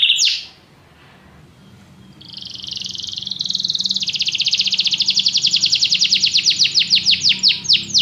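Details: Canary song opening with a sharp chip, a pause, then a rising rolled trill that grows louder and ends in a run of rapid, distinct repeated notes.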